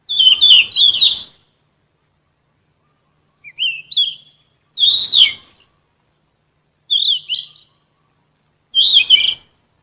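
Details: Sikatan emas flycatcher, genus Ficedula, singing for vocal training of kept songbirds: five separate phrases every two seconds or so, alternating dense twittering bursts with shorter rising whistled slurs.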